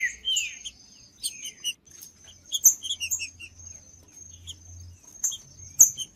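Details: Green-winged saltator singing in the judas song style, used to warm up a cold bird: a few slurred, falling whistles near the start, then scattered sharp chirps over a steady high-pitched tone.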